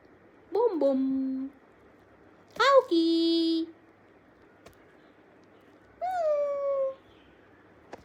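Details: A pet green ring-necked parrot utters three short, harmonic, word-like phrases resembling human speech, such as "mommy", "love you", "peekaboo", spaced a few seconds apart, with a quiet background.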